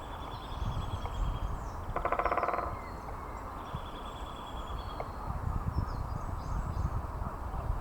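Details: Great spotted woodpecker drumming at Balgay Hill, Dundee: a single rapid, even roll of taps lasting under a second, two seconds in, over steady low rumbling background noise with faint thin bird calls higher up.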